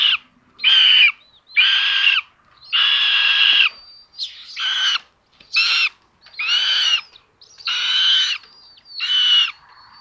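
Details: Common buzzard siblings at their nest in Tiszalök, Hungary, early morning of May 30, 2022, the sister stealing prey from her brother: nine rapid, harsh squealing calls of uneven length in close succession, some rising and wavering, with brief thin whistles between.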